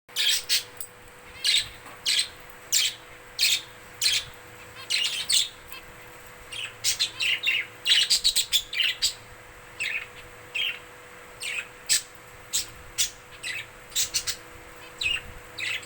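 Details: Pet budgerigars playing and jumping from perch to perch give quick, scratchy chirps in irregular bursts, with a steady faint hum behind them.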